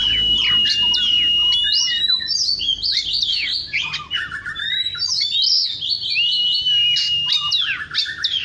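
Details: An Oriental magpie-robin sings in the morning, an unbroken stream of loud whistled phrases mixing steady pure tones with rapid up-and-down slurs and sharp chirps, delivered in fast, irregular succession.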